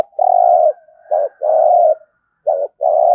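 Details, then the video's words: Decoy spotted dove with the deep 'giọng thổ' voice, alternating long sustained coos and short clipped notes in a steady back-and-forth rhythm. "Chim Cu Mồi cu gáy giọng thổ cực chất"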